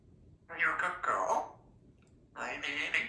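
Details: A chatty young male African grey parrot, said to be asking for a big kiss, talks in a clear, speech-like voice: two quick mimicked phrases, a brief pause, then another phrase.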